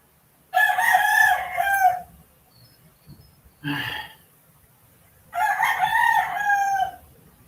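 Two long, loud rooster crows, each about a second and a half, hoarse and drawn out. A brief harsh sound falls between them.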